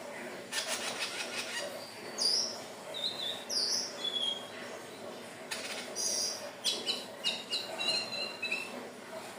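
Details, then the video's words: For luring birds, a Hill blue flycatcher sings bright, high whistles and short chirped notes in quick clusters, with bursts of crackling noise and a constant hiss underneath. "SUARA BURUNG TLEDEKAN BIRU/SIKATAN NINON/SELENDANG BIRU"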